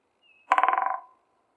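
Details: In a spring forest, a woodpecker hammers a dry, rattling branch it chose for its loud sound. A quick burst of roughly a dozen woody, tonal strikes runs for about half a second and trails off into a fading ring.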